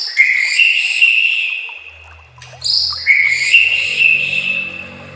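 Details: Murai batu (white-rumped shama) training song: long clear whistled notes held near one pitch, broken by a brief high burst, then the steady whistle resumes, with a faint low hum underneath.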